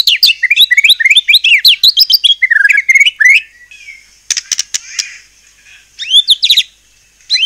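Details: Singing white-rumped shama, a recording meant to excite other shamas into replying: fast run of looping whistled notes, a short pause with scratchy bursts, then sharp rising whistles.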